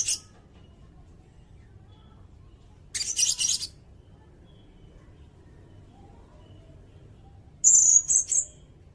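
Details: High sirindet song used as training material for magpie-robins and other contest birds: a chirpy burst at the start, a dense buzzy phrase near three seconds, then clear whistled high notes near the end.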